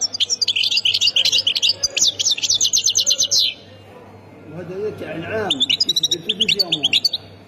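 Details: European goldfinch, Khemis Miliana song style from Ain Defla, Algeria: a long rapid twittering trill of high buzzy notes, a brief gap with a man speaking, then the bird resumes with quick chirping phrases.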